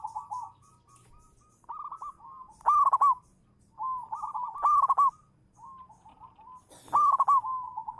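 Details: Manggung song of a local zebra dove kept as a champion lure: loud crackling rolled coos about every two seconds, interleaved with softer rapid stuttering cooing runs. A short scratchy noise comes near the end.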